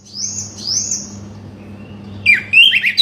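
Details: Oriental magpie-robin song for stirring a quiet bird to sing: two long high thin whistles, a fainter whistle, then a sudden burst of fast, tumbling whistled notes at the end, with a steady hum beneath.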